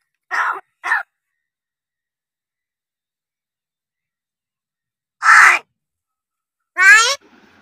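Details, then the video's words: Crow that speaks only Marathi "ho" and "kay": two quick hoarse bursts, a long silence, then a loud harsh call and a final nasal, tonal squawk with stacked overtones. "बोलणारा कावळा"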